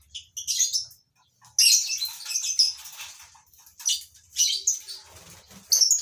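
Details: Captive lovebirds in a breeding colony, making repeated shrill, scratchy squawks and chirps in uneven clusters, some overlapping, with a short silent pause near the start.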